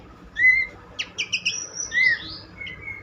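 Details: Brief Horsfield's babbler phrase: a pure rising whistle, a few harsh buzzy notes, then another whistle, over steady background noise.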